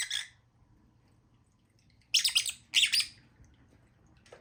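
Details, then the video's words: Lovebirds giving shrill, rasping squawks: a short burst at the start, a long pause, then two loud clustered bursts of harsh chattering calls close together, over a low steady hum. "Lovebirds sound"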